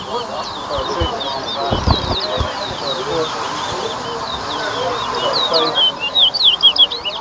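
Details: Large-billed seed-finch (towa towa) singing at a bird whistling competition at Better Hope, Guyana: rapid, repeated high whistled notes with quick upward and downward slurs, set against constant crowd chatter and a few sharp knocks.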